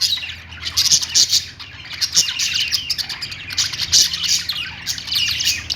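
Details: Pet budgerigars (Australian parrots) chirping: dense, high twittering chatter with overlapping warbles and squeaks, in bursts with no pauses, plus a low hum.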